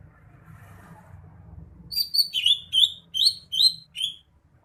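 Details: Greater green leafbird singing: after a low background hum, a quick phrase of about eight clear, high whistled notes, several sliding downward, spaced evenly over two seconds.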